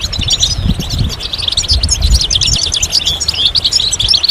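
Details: Rapid, bright twittering from European goldfinch, tight clusters of sharp high chirps and tinkling notes tumbling over one another without a break, over a low background rumble.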